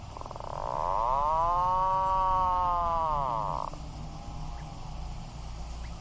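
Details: Atlantic puffin giving a strange, drawn-out groaning call lasting about three seconds, a rich harmonic tone that swells, holds steady, then cuts off abruptly, over a low rumbling background.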